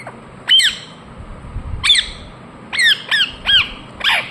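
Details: Indian ringneck parakeet chirping: six harsh, harmonic squawks, each sliding steeply downward, spaced irregularly with gaps of up to a second, over a low background rumble.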